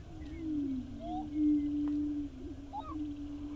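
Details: Five male greater prairie-chickens displaying on their lek at Wray, Colorado, 26 April 2019: a low, hollow, moaning boom held for over a second, overlapped by short rising whoops and cackles from other males.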